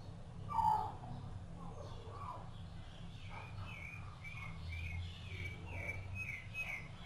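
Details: Rufous-bellied thrush, sabiá-laranjeira, while feeding its chicks: one louder mid-pitched note near the start, then a series of short thin chirps repeated about every half second, over a low background rumble.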